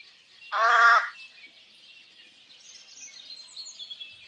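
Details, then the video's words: Crow giving one drawn-out harsh caw lasting about half a second, followed by quiet with faint high chirps from other birds in the background. "CROW SOUND"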